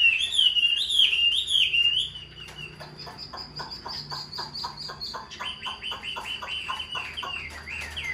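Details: Hand-tamed Chinese hwamei in a cage singing bold wavering whistled phrases, then a long burst of rapid repeated chipping notes that switch to a higher pitch partway through.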